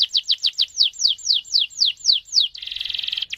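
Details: Singing canary whose long roll is used to set other canaries singing; a series of clear downward-slurred whistled notes repeated about four times a second, then a fast trilled buzzy roll and two short notes.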